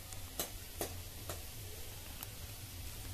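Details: Faint irregular ticking clicks over a steady low hum, with no animal voice.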